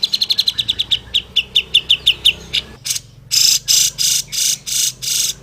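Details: Grey-cheeked bulbul, recorded as a tutor song for other bulbuls: a fast run of chip notes slowing into spaced pairs, then loud harsh grating bursts repeated roughly every half second.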